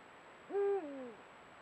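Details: Camera-trapped Eurasian eagle-owl pair meeting more often as breeding nears, giving guttural contact sounds that strengthen their bond. One clear call rises sharply, holds level, then drops a step and trails down before ending. Faint hiss behind.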